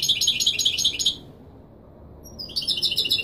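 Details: A European goldfinch sings in the authentic Marrakchi Wīdānī style, played to tutor young birds. A fast, high, jingling trill stops, about a second of quiet follows, then the bright rapid twitter starts again.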